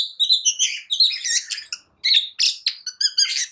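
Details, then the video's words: Singing long-tailed shrike, used to provoke other birds into song: a busy, scratchy jumble of high chirps, rasping notes and whistles, broken by one short pause before resuming. "Cendet Malas Bunyi Agar Cepat Emosi gacor Sekali Dengar"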